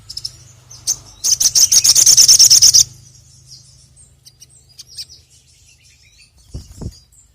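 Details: Sogon (ruby-cheeked sunbird) song used as a lure call: a few high chirps, then a fast, buzzy, very high trill of steady rapid pulses, then scattered thin notes, with a low steady hum and two soft thumps.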